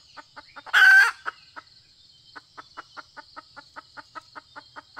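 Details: Red junglefowl heard during hunting with a female decoy: one loud, harsh, buzzy burst under half a second long, then a steady run of short clucking notes about five per second against a thin high hiss.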